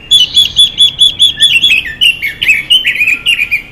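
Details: Female Chinese hwamei, singing to excite males: a continuous run of bright whistles that breaks into varied, warbled, partly descending phrases.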